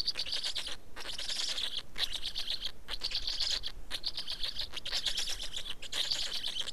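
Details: Rasping, throbbing call bursts from an Estonian black stork nest at feeding time, 19 May 2019, 15:43, coming in runs of about one to two seconds with brief pauses, low steady noise behind.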